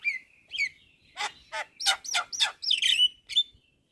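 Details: Black-winged starling song, masteran for training songbirds: a whistled opening phrase, then loud harsh broadband bursts and squeaky whistles repeated in quick succession over a quiet background.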